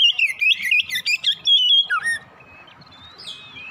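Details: Oriental magpie-robin morning song meant to stimulate singing: a fast torrent of bright warbled whistles and chirps that stops after two seconds, leaving faint distant notes.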